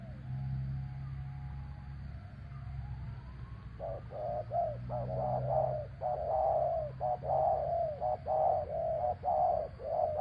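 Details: Spotted dove coaxing a captive bird to come down, part of a traditional dove-luring practice. After a quiet start, rapid mellow coos begin and continue in a steady rounded series over a low outdoor hum.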